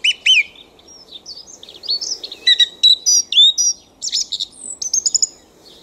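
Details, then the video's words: Night song of a thrush in a back garden: a varied string of whistled and chattering phrases, some notes doubled or tripled, delivered in quick succession with brief gaps. "Songs of the Thrush"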